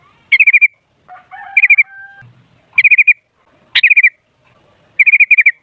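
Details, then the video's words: Sooty-headed bulbul for luring other bulbuls to sing noisily: rapid trilled phrases of four or five bubbly notes repeated about once a second, with a faint steady tone and low rumble between. "Suara Burung Kutilang Ampuh Buat Pancingan Jadikan Kutilang Ribut Gacor"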